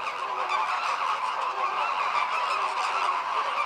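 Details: American flamingos, a group performing communal courtship display with synchronized head-turning and wing-opening to align breeding; a dense, continuous goose-like honking chorus of many birds overlapping without pause, nasal and steady throughout.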